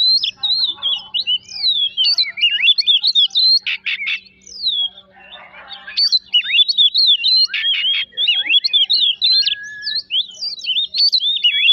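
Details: Oriental magpie-robin song meant to provoke rivals into singing: long, rapid chains of sharp whistled notes broken by a few harsh chattering bursts and a brief pause midway.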